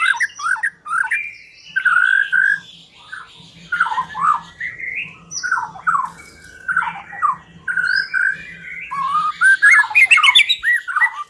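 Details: Shama song played to coax a silent white-rumped shama into singing: varied whistled and harsh notes in broken phrases, with a faint low hum, ending in a fast twittering run.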